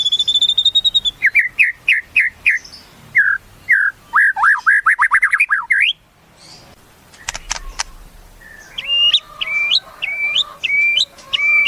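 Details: White-rumped shama with a varied song: a high whistle, rising slurred notes, fast jumbled warbling, then a quieter gap and rhythmic, looping whistled phrases.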